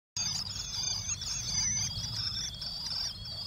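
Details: Common swift nestlings, 1–2 days before fledging, huddle with the whole family in a nest box on a rainy 11 July 2012. They give a continuous, high, buzzing, slightly wavering trill, with more peeping from a neighbouring box, over a low rain rumble.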